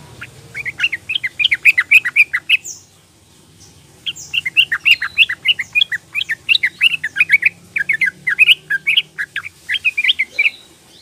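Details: Young female Sooty-headed bulbul calling to males, used to coax quiet males into singing: rapid bursts of chirpy, bubbling notes that rise and fall, with a short pause near three seconds before the chattering resumes.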